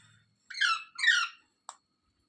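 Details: Rose-ringed parakeet calling indoors: two loud, harsh, screechy notes in quick succession, each rich in harmonics and falling slightly in pitch, followed by a short click.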